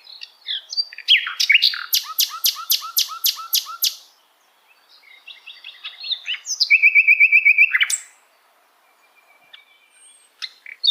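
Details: Sikatan londo, or common nightingale, singing hard. A loud run of about eight rapid repeated notes comes first. After a short pause, a varied twittering passage leads into a fast, even trill, then quiet.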